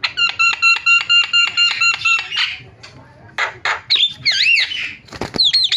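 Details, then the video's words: Starling calls used to provoke other starlings into calling: a rapid, evenly repeated series of short harsh notes, followed by scratchy bursts and looping whistled slurs. "MASTERAN JALAK SUARANYA BIKIN JALAK PADA TERIAK"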